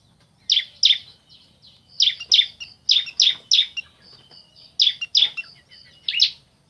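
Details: Ciblek, the bar-winged prinia, male and female calling in reply to each other: sharp buzzy chirps in pairs and triplets, with soft thin whistles filling the gaps.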